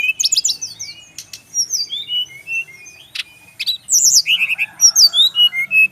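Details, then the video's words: Brown-chested jungle flycatcher song from a kept male in Bali. Fast series of short whistled slurs and chirps, a sharp burst, then rhythmic repeated notes and descending whistles toward the end. "SRDC laen langsung nyaut denger suara burung SIKATAN RIMBA INi"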